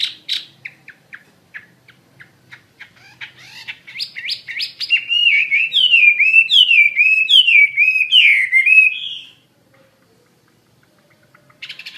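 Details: Wambi mandarin bird singing actively: sparse short chirps at first, building into a loud run of fast, rising-and-falling whistled notes in wavy phrases, then stopping abruptly before a faint last burst.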